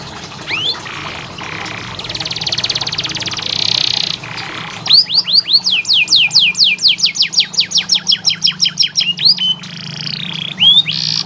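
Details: Training song for canaries reluctant to sing. It opens with isolated rising whistles and a long buzzy rattle, then a rapid, steady trill of steep falling notes runs for about four seconds before a final buzz and upslur.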